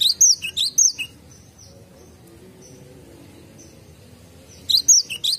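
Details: Cinereous tit in a garden: a quick run of high chirped phrases, a long quiet gap, then the same bright repeated notes resume.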